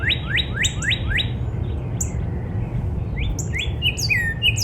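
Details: Northern cardinal singing in spring in a backyard: five loud upslurred whistles in quick succession, a quiet pause with faint high chips, then a few falling and rising slurred whistles, over constant low background noise.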